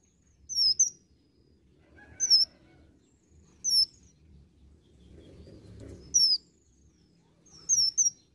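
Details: Olive-backed sunbird singing with imitations: crisp, high, downslurred doubled whistles repeated about every one and a half seconds, with quiet gaps and faint low background noise between them.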